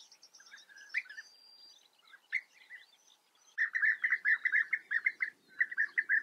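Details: European bee-eaters in the Eifel, Germany: soft scattered chirps and higher twitters at first, then a loud burst of rolling, burry calls given in quick succession, with brief gaps between short runs.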